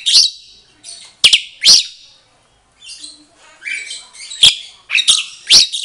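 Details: A mated Asian pied starling (Gracupica contra) in a breeding setup sings: loud, high whistled notes and sharp chattering bursts, interspersed with softer squeaky warbling at an irregular pace, a sign of a matched pair.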